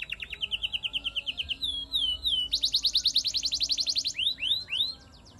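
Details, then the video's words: Canary in full gacoran song loaded with imitated phrases: a fast rattling trill, a sliding whistled run, a dense buzzy roll, then several sweeping downslurred notes before fading. "burung kenari gacoran materian"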